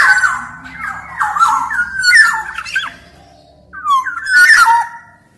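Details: Black-naped oriole in energetic, continuous song: fluid whistled phrases sliding and warbling around a steady middle pitch, with harsh buzzy notes mixed in, a pause near three seconds, then a burst of rich whistles.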